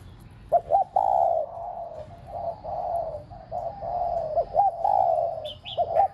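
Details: Decoy spotted dove giving a run of low drawn-out coos with occasional clipped notes between them, continuous and mellow, with a short high chirping from another bird near the end.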